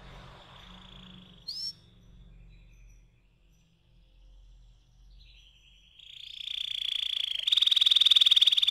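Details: Canary rolling song used as a lure: a faint steady trill, a brief bright chirp, a quiet pause, then a rolling trill that grows louder into a dense, buzzy pulsing roll.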